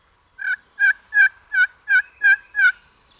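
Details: Wild turkey gobbler in Alabama, spring season on Easter weekend at dawn, one of several roosted about 120–150 yards away, gobbling every breath: a rapid burst of seven rattling, stacked notes over about two seconds.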